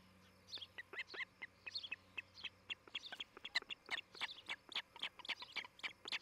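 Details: Montana osprey nest near Charlo, monitored by camera in July 2018: dense, overlapping high chirps and squeaky notes tumble out continuously, sounding like more than one bird calling at once.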